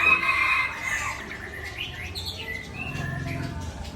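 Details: White-rumped shama, the Murai Aceh, singing wildly through its learned repertoire: a loud, rich opening phrase, then a quick run of varied whistled notes sliding up and down, with a low rumbling noise underneath.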